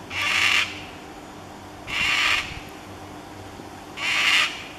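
A lesser sulphur-crested cockatoo gives three harsh, raspy screeches, each about half a second long and spaced roughly two seconds apart, over a faint low hum.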